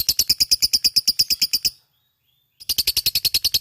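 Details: Fighter lovebird in ngekek: two bursts of fast, grating high-pitched pulses split by a silent pause of nearly a second.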